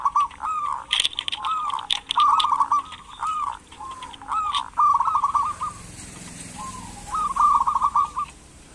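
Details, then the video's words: Local zebra dove cooing as a prompt for lazy doves: series of soft, quick, stuttering coos and rolling trilled phrases, repeated with brief pauses, fading toward the end. "Perkutut lokal gacor pancingan perkutut malas agar bunyi"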